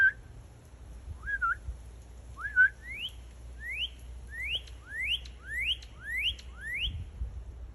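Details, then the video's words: Northern cardinal singing: a series of clear whistled notes, each sweeping upward, repeated about every half second in an accelerating run of about nine notes after two opening slurred whistles, over low background rumble. "cardinal singing"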